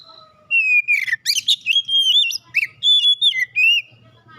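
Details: First-prize oriental magpie-robin in a singing competition: rich flowing whistled song, slurred notes rising and falling, broken by harsh buzzy chirps.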